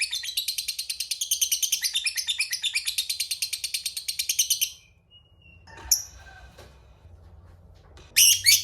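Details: Lovebird of fighter type in a long ngekek, used to provoke rivals into answering: almost five seconds of rapid, high rattling chirps, then a quiet gap with a short squeak and a final sharp burst.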